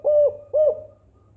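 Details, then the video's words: Spotted dove in the kuk 4 style, recorded as a lure to prompt quiet doves into calling: two deep, hollow coos in quick succession, each dipping slightly at the end, then silence. "Suara Burung Tekukur Kuk 4 Gacor Paling Ampuh Untuk Pancingan Yang Malas Bunyi Agar Ikutan Gacor"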